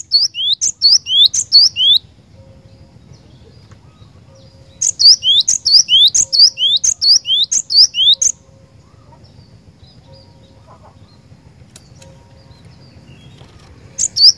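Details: Cinereous tit singing energetically: bursts of repeated two-part phrases, a sharp high note followed by a slurred whistle, in runs of several seconds separated by quiet pauses over a faint low hum.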